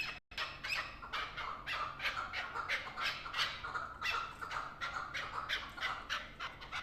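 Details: Hunting chukar partridge calling in an excited run of hoarse chuk notes, nearly three per second and somewhat irregular, after a brief silence at the start.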